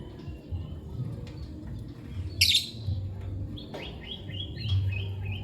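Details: Lovebird chirping: a loud sharp burst of notes, then a run of short high chirps that rise and fall quickly near the end, over a steady low background hum.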